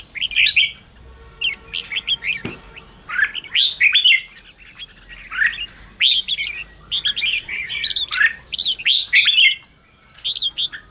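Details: Red-whiskered bulbul song used to stir up newly caught, timid birds: bursts of quick chirpy warbling phrases broken by brief gaps, with a sharp click near the start and faint low hum beneath.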